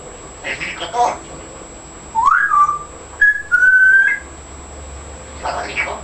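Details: Pet African grey parrot, 14 months old, indoors, gives clear whistles: a rising then level whistle near the middle, a short high note, then a longer level whistle, with faint soft sounds at the start and end.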